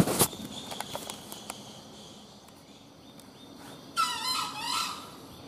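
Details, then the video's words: Junglefowl heard during a hunt gives a single raspy, harmonic crow of about one second near the end. Earlier there are scattered clicks and taps over a constant background of insects. "Berburu Ayam Hutan. Kluruk sangat lama"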